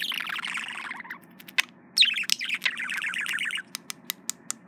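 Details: Male budgerigar courting its reflection in a mirror, kept as a pet indoors: a rapid chattering warble of dense buzzy notes, then a pause with sharp clicks and ticks, then more fast chatter, with scattered tapping at the end.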